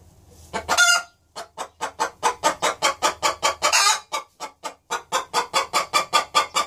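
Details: Two hens cackling together in a nest box before either has laid an egg: harsh, broadband, clucking notes repeated rapidly, about four per second, in long runs broken by short pauses.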